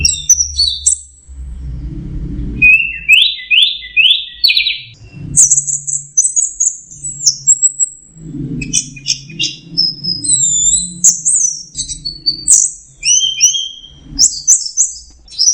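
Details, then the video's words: Teler-style song of an orange-headed thrush (anis merah or punglor merah): a long varied run of high whistles, buzzy rising trills and quick slurred notes with brief gaps, over faint low rumbling. "Suara Burung Anis Merah Teler"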